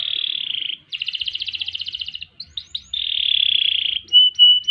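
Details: Singing canary performing long ngerol and ngerek phrases. A high buzzy roll gives way to a rapid pulsed trill, then a few short upward chips, a long smooth roll, and several bright separate whistled notes.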